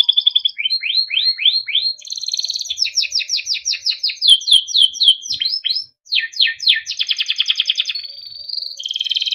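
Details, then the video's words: Small yellow Timbrado canary singing beautiful melodic song for training: series of rising sweeps, rapid rolling trills, bubbling phrases, a brief gap, then more fast repeated notes and a drawn-out whistle. "Timbrado canary singing beautiful melodic songs for training"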